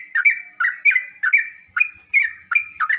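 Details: Repeated bubbly two-note phrases from a sooty-headed bulbul, about three per second, each a low dip followed by a level whistle. The song is played to prompt caged bulbuls to answer and sing.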